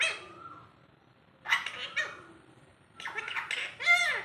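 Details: Alexandrine parakeet imitating speech, with garbled speech-like syllables in short bursts, a soft tonal note at the start, and a final squawk with bending harmonics.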